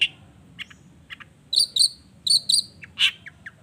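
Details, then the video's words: Long-tailed shrike lure song for provoking rival shrikes to sing back: soft scattered chips, then paired bright whistled notes repeated twice, followed by a loud squawk and short chirps. "Cendet Gacor Efektif Pagi Siang Sore Rajanya Bikin Cendet Lainya Spontan Nyaut Bunyi Penuh Emosi"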